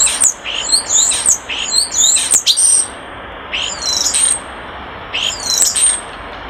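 A European Starling gives bursts of high, slurred whistles mixed with sharp clicks and squeaky notes, in three bouts a couple of seconds apart, over a soft background hiss.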